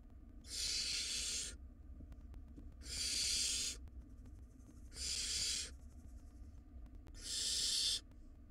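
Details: Barn owl nestlings, wild, squabbling over food inside a nest box: four harsh, rasping hisses, each roughly one second long, repeated about every two seconds with quiet gaps between, steady low background hum.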